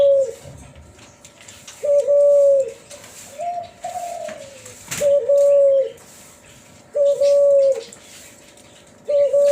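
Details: F1 hybrid dove, Kelantan spotted dove crossed with tangerine ringneck dove, known as Cuhu Kelantan, singing in the whistled 'suling' style: long flat pure coos at even pitch, five in sequence, one softer gliding note in between.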